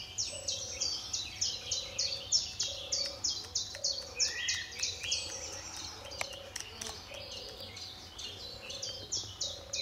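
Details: A European turtle dove at RSPB Fowlmere, Cambridgeshire, in July 2013 gives soft, low purring phrases about once a second, half-buried under busy high chirping from other small birds.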